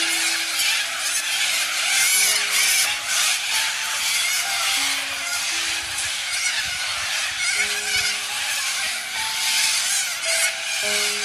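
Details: Little corellas, a large flock in Australia: a continuous wall of harsh, grating screeches, with steady low musical notes sounding underneath.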